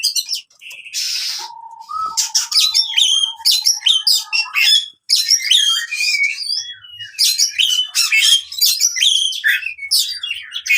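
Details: Oriental magpie-robin fighting song for coaxing silent birds back into song: a dense, rapid medley of sharp chirps, whistled slurs and a harsh rasping burst near the start, delivered almost without pause after a brief break midway.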